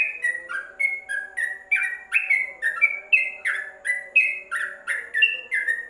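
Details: Covered-cage yellow-vented bulbul singing as a tutor bird: evenly spaced, sweet two-part chirps, each note bending in pitch, about two per second, with a quiet hum in the background.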